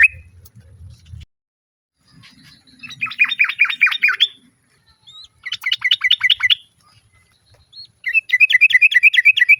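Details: A female sooty-headed bulbul calls the male, with other birds answering. Three rapid chattering bursts of sharp, repeated notes, each lasting one to two seconds, separated by short silences.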